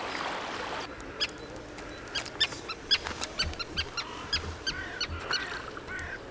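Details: Common terns calling, recorded with a RODE VideoMicro microphone: sharp, clipped notes with a bright harmonic edge, given irregularly about twice a second. A soft low rumble and a breezy hiss sit underneath.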